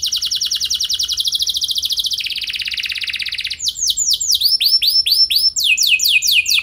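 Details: A canary delivers lure song to prompt other canaries into long rolls: a long, fast, even trill steps down in pitch, then breaks into a rhythmic series of arched, whistled notes.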